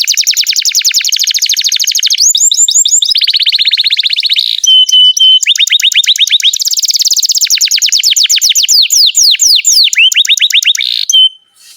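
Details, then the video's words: Long, nonstop canary song for tutoring young or silent canaries: dense, high buzzy trills switching between different repeated notes, short pure whistles and fast sweeping rolls, ending abruptly. "SUARA BURUNG Kenari GACOR PANJANG INI Cocok untuk Masteran KENARI PAUD dan Kenari Macet BUNYI"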